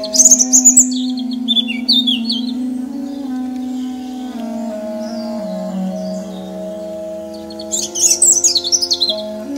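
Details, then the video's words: European robin singing in a forest in Ukraine: bursts of high, varied, twittering phrases with quick pitch jumps at the start and again near the end, over a steady, low, sustained musical accompaniment. "Вільшанка, ольшанка, зорянка спів. Robin bird in the forest."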